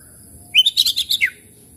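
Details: Oriental magpie-robin song used to prompt stressed, quiet caged birds to sing: a short burst of rapid, high chirped and whistled notes, rising then ending in a descending slur, against a quiet background.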